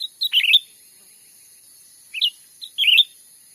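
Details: Loud grey-bellied bulbul lure call, Sumatra forest, for drawing wild birds in to be trapped: rapid bubbly whistled phrases, a short two-note chirp in between, and a final burst of warbled notes, over faint high hiss.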